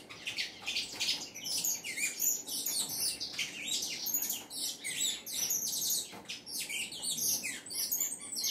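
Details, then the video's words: Saffron finch singing a lot: an unbroken, busy stream of high chirps, trills and downward-sliding notes fills the whole stretch, pulsing in loudness, with only a brief dip near the sixth second. "canário da terra cantando muito"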